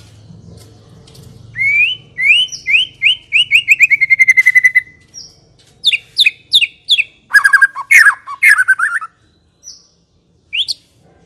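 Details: White-rumped shama song used as a lure for shamas that are not yet singing: a fast string of repeated upslurred whistles, then sharp chips and lower slurred notes, with faint low hum beneath.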